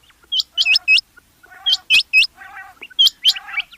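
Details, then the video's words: Rain quail calling: sharp, high metallic notes in quick triplets, repeated about every second and a half, with softer buzzy tones beneath them. "Rain Quail Sounds bedana sayrashi bedana ovozi Batair Ki Awaz بٹیر چنکہ کی آواز"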